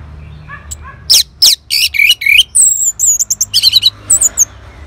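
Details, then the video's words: Energetic song of an orange-headed thrush, responding to a lure in Bali: soft low notes lead into loud buzzy rasping bursts, followed by fast high chirps and clear whistled notes. "Sangarnya Respon ANIS MERAH Langsung Nyaut Dengar Pancingan Suara Burung Ini"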